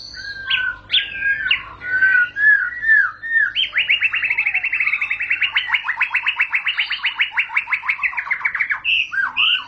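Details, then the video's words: White-rumped shama song opening with looping, slurred whistles, then a long rapid chattering trill of evenly repeated notes lasting several seconds, ending in a sharp whistled flourish. "Murai batu bakal langsung ngentrok"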